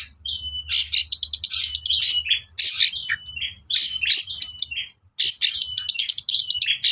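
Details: Long-tailed shrike singing, used to make other shrikes agitated and answer: a long, level whistle under fast, rattling scratchy notes, several bursts of busy chatter separated by brief gaps, with a low hum beneath.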